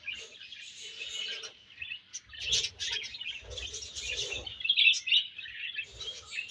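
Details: Budgerigars chirping while feeding: uneven bursts of high warbled chatter and sharp squeaky notes, softer at first, then louder, with faint low rustles.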